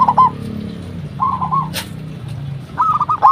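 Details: Local zebra dove calling as a lure for other doves: brief rolling cooing phrases at the start, middle and end, with a faint low hum underneath and a short click.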